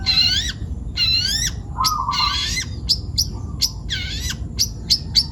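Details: Young forest-type long-tailed shrike from Pati, Central Java, in full song: harsh rising harmonic phrases repeated about once a second, then sharp clicks and short notes, with a faint low whistle beneath and steady background hum.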